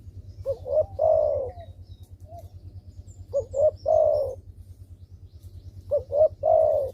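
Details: Spotted dove coo used to get idle doves calling: three phrases in quick succession, each two clipped notes leading into a longer mellow coo, roughly every two and a half seconds, over a low droning hum.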